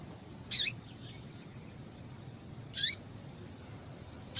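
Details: Female lined seedeater call, used to stimulate caged males to sing: brief, high, sharp chirps spaced about two seconds apart, each with a faint trailing echo, over a soft steady hiss.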